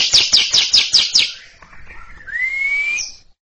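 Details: Six loud, harsh chatter notes in quick succession from a greater green leafbird singing its ngekek before a quiet junior bird, then fading into soft notes and a long rising whistled slur.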